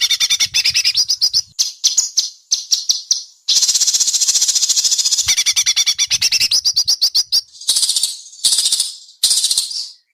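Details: White-rumped shama performing sharp besetan mimicry in an Indonesian singing competition before judges: a ten-second run of rapid high rattles and buzzy trills in varied bursts, with short pauses between phrases.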